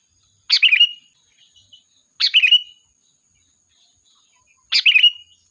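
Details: Sooty-headed bulbul singing lively, used as a lure to call the flock: three short bubbly phrases with a sharp high start and a warbling drop, about two seconds apart. A thin steady high tone runs underneath.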